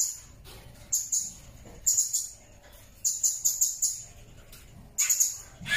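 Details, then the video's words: Blue-crowned hanging parrot in a natural recording for training songbirds and provoking their calls. Short, piercing high squeaks in clusters: pairs, then a run of five quick notes, then another pair. "MASTERAN SUARA BURUNG SERINDIT"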